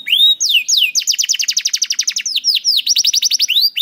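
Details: Canary singing, used to encourage juvenile canaries and poor singers: curving whistled slurs lead into a fast series of sharp descending notes, then more whistles and a quick trill.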